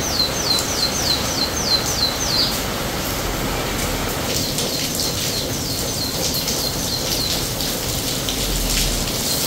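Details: Canary singing on a rainy day: a quick trill of repeated high falling notes for two and a half seconds, then steady rain noise with faint trilled notes barely audible.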